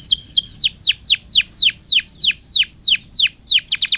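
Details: Canary in strong song, played as a lure to get other canaries singing: evenly spaced, descending whistled sweeps repeated about three times per second, ending in a quicker cluster.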